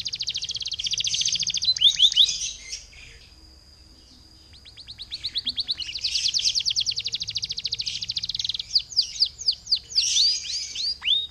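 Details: Vigorous canary song meant to lure and set other canaries singing, with dense high rolling trills, a brief lull, then more fast trills ending in a string of sharp sweeping whistled notes.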